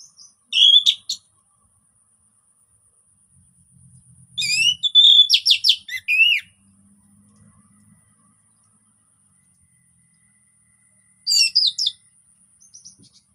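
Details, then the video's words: Relaxed orange-headed thrush song aimed at getting mute thrushes to sing: separate short phrases of loud, clear, high whistles and slurred notes, some falling, with long gaps and soft faint chirps between. "KICAUAN SANTAI ANIS PEMANCING ANIS MACET BUNYI"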